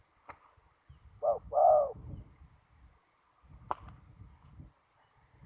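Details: Spotted dove in strong wind during ground decoy trapping. One cooing phrase, a short double note and then a longer mellow coo, with sharp clicks and knocks nearby and steady low wind rumble.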